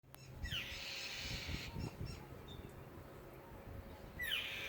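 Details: A little bird crying on a Memorial Day holiday weekend, said to miss its family: harsh, raspy screeches that open with a falling sweep, one long and one starting near the end, over rustling background noise.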